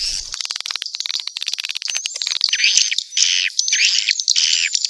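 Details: Mixed swiftlet calls, with rapid clicking twitters at the start giving way to high chirps and drawn-out buzzy calls in short repeated bursts, thick overlapping chorus throughout.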